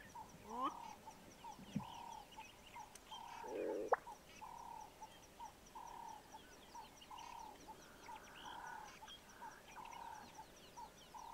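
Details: A male Black-bellied bustard (Lissotis melanogaster) in courtship display gives a quick rising squeak, then ends with a sharp pop, over steady, evenly repeated chirps from other callers.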